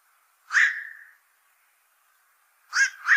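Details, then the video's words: Barking quok of a black-crowned night heron, a heavy feeder on fish that troubles fishpond owners, followed after a pause by a quick pair of rough, doubled calls. "BLACK CROWNED NIGHT HERON CALL SOUND"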